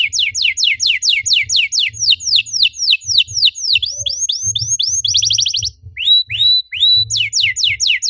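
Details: Canary song used as a lure to stimulate other canaries to sing: quick runs of high falling whistled sweeps, several per second, then a dense buzzy trill, a brief break, and more swept notes, over a faint low hum.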